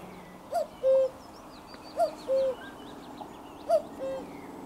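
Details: Common cuckoo calling close by, recorded on 4 June 2023: a clear two-note cu-coo, the first note higher and short, the second lower and held, repeated about every one and a half seconds, with faint songs of other birds behind.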